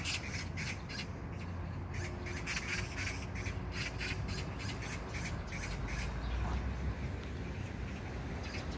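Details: Magpie calling on June 19, 2022 at Jangdumot park in Incheon, South Korea: a long, insistent rattle of coarse, scratchy squawks fired off several per second, with brief gaps, over a heavy low-pitched rumble.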